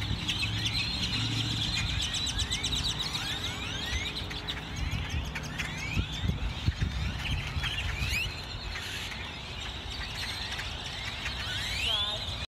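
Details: A flock of grackles, back after winter in a Walmart parking lot, keeps up a dense chorus of squeaky, creaking whistles and sharp chips, many voices overlapping, over a steady low rumble of traffic.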